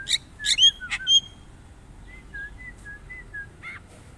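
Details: Javan myna giving a varied song: loud harsh and whistled notes in the first second, then a run of soft, evenly spaced whistled notes and a final rasping note near the end, over a low background hum.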